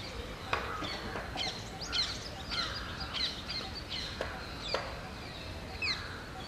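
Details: Loten's sunbird at Theosophical Society Gardens, Adyar, Chennai, giving sharp, high chips and brief twittery notes every second or so, over a steady hiss of background noise.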